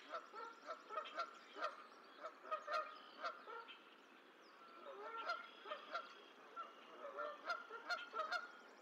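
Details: Goose on the Decorah eagle nest on 14 April 2024 as the sixth and last gosling hatches. Short nasal honks repeat in quick irregular bursts throughout, with faint high chirps from other birds in the background.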